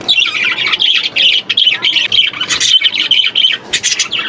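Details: Budgerigars playing in an aviary; continuous dense warbling chatter with squeaky chirps, several birds overlapping.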